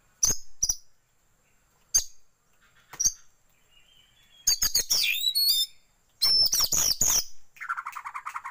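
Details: Oriental magpie-robin lure for tail-opening training. It starts with spaced single sharp notes, then builds to loud, dense whistled and chattering phrases and ends in a rapid buzzy rattle.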